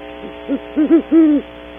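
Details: A great horned owl, part of a pair at a cavity on Audubon Starr Ranch, California, in the early morning, gives a quick run of short soft hoots ending in one longer, deeper hoot.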